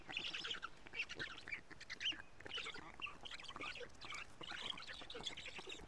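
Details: Black stork at a nest in Karula, Estonia, recorded by a live nest camera on 14 June 2017 at 17:55 while big fish are fed: harsh, hissing, wheezy bursts repeating irregularly, fairly distant, with a steady noisy background.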